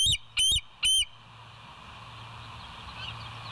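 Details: Bald eagle at the West End nest, filmed by a live cam on 25 September 2023 at 7:00. Three sharp, high, piping notes in quick succession, followed by a steady low background hum.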